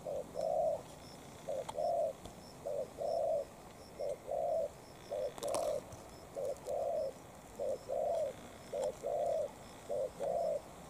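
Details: Spotted dove used as a decoy, fighting a quality wild bird, repeats steady low cooing notes in short rhythmic groups, roughly fifty per minute, with a faint knock near the middle.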